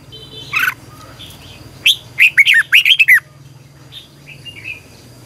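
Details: Red-whiskered bulbul in morning song used as decoy for training competitive singers, long twisted double-voice style: one quick phrase of about six chirpy, slurred notes amid a steady low hum and faint background chatter.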